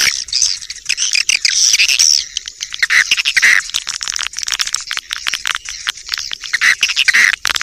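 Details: Swiftlet lure call: a busy chorus of squeaky twitters and short buzzy notes, rising and falling in loudness, with a faint steady high tone behind.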